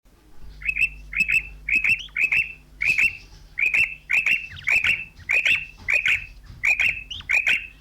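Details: Female common quail calling, used as a hunting lure: paired, chirpy notes repeated roughly twice a second in a steady run, with a low electrical hum underneath.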